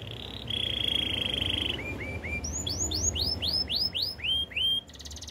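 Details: Canary, said to be in the wild, sings a brief high trill, then a long level buzzy roll, a few soft notes, and a series of upward-arching whistled syllables repeated about three times a second.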